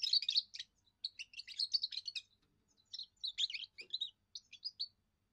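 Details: A young European goldfinch sings its first song: a rapid, liquid twittering of high tinkling notes and buzzy trills, in short bursts with brief pauses between phrases.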